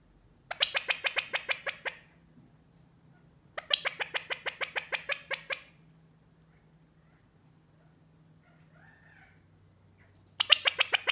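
A California quail gives rapid bursts of sharp, clipped pit notes, about a dozen per burst, in three separate bouts over a low indoor hum.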